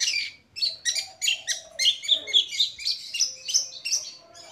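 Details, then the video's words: Madura long-tailed shrike, kept as a songbird, gives a jumbled run of scratchy chirps and short whistled notes at a quick, uneven pace of about four per second. "Contoh Keaslian Cendet MADURA"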